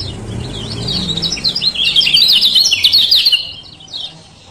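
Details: Continuous high, squeaky chirping from a male lemon-bellied white-eye of Lombok, a lively 'ciak ciak' chatter swelling in the middle then fading, over light low background noise; a lure for birds that have stopped singing.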